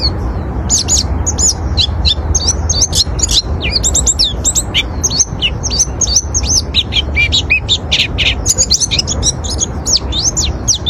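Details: Oriental white-eye singing to attract other white-eyes, a long continuous stream of very high, quick chirps and thin twitters packed densely for over ten seconds, with steady low background noise beneath.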